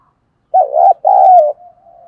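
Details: Spotted dove kept as a decoy to draw in wild doves, giving one low two-note coo, the second note drawn out and trailing into a soft fading tail.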